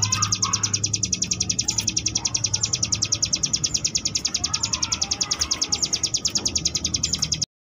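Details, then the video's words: Ciblek gunung (Sunda bush warbler) delivering a long 'ngebrem' variation song for training contest birds: a sustained, rapid, high-pitched pulsing trill repeated steadily for over seven seconds, with faint low rumble beneath. "cigun ngebrem variasi"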